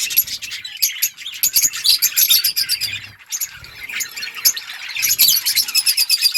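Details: Budgerigars talking to each other in quick high chirps and warbles, about four notes a second, dense chatter easing midway and then swelling again.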